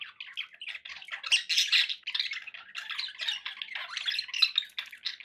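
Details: Continuous budgerigar chatter from pet birds: dense, scratchy warbles and high chirps overlapping without a break, in an unbroken wall of bird noise.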